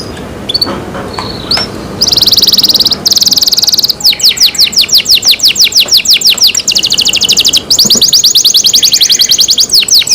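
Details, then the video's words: Caged canary song beginning with scattered soft chirps, then a bright buzzing roll, followed by long runs of rapid repeated falling whistles and another dense trill, all loud and high. "canary Nice sound"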